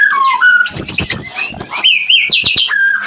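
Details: Murai batu, the white-rumped shama, singing a breeding lure to bring on mating condition: a falling whistle, then a long high sustained tone over rattling clicks, ending in quick rising whistled notes and a steady mid whistle.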